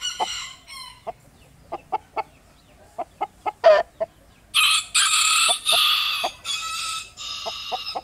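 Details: Hens cackling: a run of short, sharp clucks spaced unevenly, one louder drawn-out squawk near the middle, then several seconds of loud broadband rustling or flapping with a few more clucks cutting through.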